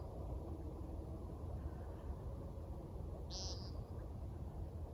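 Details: Nighttime American woodcock in a backyard, the bird known for its flight display; one abrupt buzzy beep just past the midpoint, with otherwise only steady low-frequency noise.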